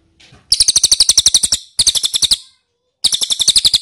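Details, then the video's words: Three rapid series of piercing high chirps from an ashy tailorbird, used to lure birds into answering. The first series is the longest, and a pause follows the second. "PANCINGAN CILILIN DIJAMIN NYAHUT"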